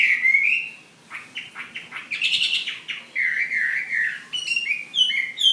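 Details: Chinese hwamei, a Vietnamese fighting bird from Ha Giang, giving a rising whistle, a pause, a scratchy, noisy burst, then clear repeated whistled phrases stepping upward.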